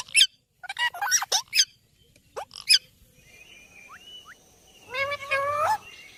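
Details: Ringneck parrot giving loud, harsh screeches in short bursts through the first three seconds, a quieter gap with faint thin whistles, then a final raspy, ringing squawk.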